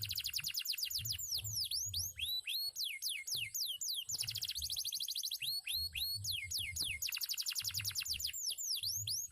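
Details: Former contest canary in full song: rapid rolling trills alternate with series of sharp descending whistled sweeps, very high and almost without pause, over faint low rumbling.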